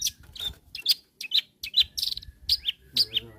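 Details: Long-tailed shrike calling to rivals: a run of short, sharp chirps and chattering notes, about two per second, loud and bright with small pauses between bursts, no other sounds prominent.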